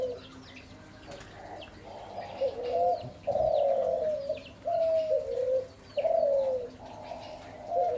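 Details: Spotted dove giving soft, low cooing phrases, each a mellow coo slurring downward, repeated roughly every second with short gaps, over steady background noise and faint distant chirps.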